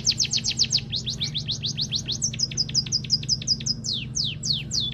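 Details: A white-headed munia delivers a quick series of thin, high downslurred chirps that shift pitch partway through and end in slower, drawn-out sweeps, with a constant low droning hum underneath.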